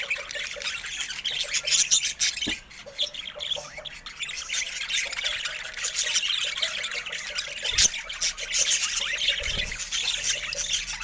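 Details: Budgerigars chirping: scratchy, irregular warbling chatter with short squawks and clicks, uneven loudness, and a brief dip near two and a half seconds, over a faint low hum.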